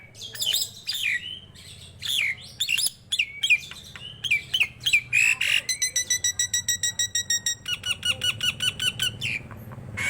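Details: Nias hill myna singing vigorously, a recording offered to stir other kept mynas and as a tutor track: loud squawks and falling whistles, then long runs of rapid, evenly spaced metallic notes near the end.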